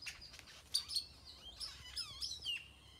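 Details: Several birds calling in a tropical tree, Nayarit, Mexico: quick high chirps and looping whistled notes overlapping in a short busy stretch.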